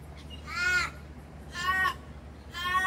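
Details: Raven or crow visiting a garden, perched and preening: three harsh, rich caws spaced about a second apart, each short and slightly falling, over a low background hum.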